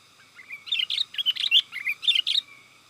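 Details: Sooty-headed bulbul lure song for calling wild birds and tutoring home birds: a lively run of about a dozen bubbly, warbled chirps in quick succession, rising and falling, over a faint steady hum.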